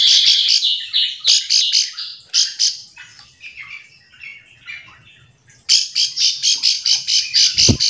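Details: Bar-winged prinias calling back and forth, a call meant to draw other prinias into singing: dense runs of loud, rapid, high chipping notes, a lull, then a long steady burst of evenly spaced notes.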